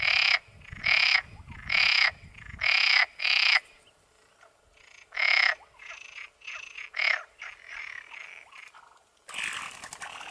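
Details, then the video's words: Pair of Black-bellied sandgrouse on waste ground of the western Llanura Manchega, Spain, in early July. Loud gravelly churring bursts repeat quickly, several in a row, then a pause and softer bursts, ending in broad noise. "ganga ortega 2"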